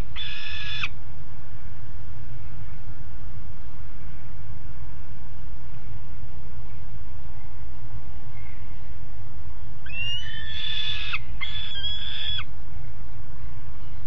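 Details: A pair of young peregrines sitting on the nest grating, Alphen aan de Rijn, 13:30 on 17 June 2016: one short harsh wail, a long quiet stretch, then two more drawn-out rasping calls close together, against a steady low hum.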